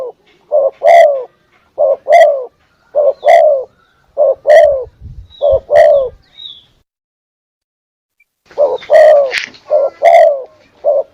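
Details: Spotted dove lure call: soft, mellow low coos in paired or triple phrases repeated roughly every 1.2 seconds, a two-second silence, then the cooing resumes with a brief rustle between notes; clean, close recording.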